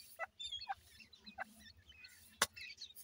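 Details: Little grey francolin chicks call for their mother with a few scattered high, thin peeps and short slurred whistles, broken by occasional loud clicks.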